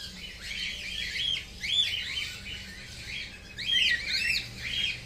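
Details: Baby cockatiel giving a string of high, rising-and-falling chirps in quick bursts, louder clusters near the two-second and four-second marks, over a faint low hum.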